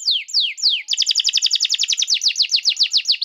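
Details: Canary song meant to teach young canaries and restart birds that stopped singing: three sharp descending whistles open into a long, rapid, bright trill of repeated two-toned notes.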